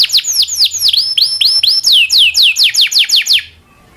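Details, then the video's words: Local canary rolling song for tutoring magpie-robins and other songbirds: a steady series of loud downslurred whistles, each about a quarter second, ending abruptly in quiet. "kenari lokal panjang dan roll masteran burung murai"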